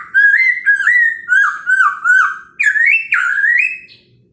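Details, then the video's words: Morning song of a Chinese hwamei, meant to stir other birds to reply: a run of clear, looping whistled notes, each bending up then dipping, repeated about every half second and climbing higher near the end. "POKSAY HONGKONG kicau pagi hari buat EMOSI burung lain cocok untuk PANCINGAN"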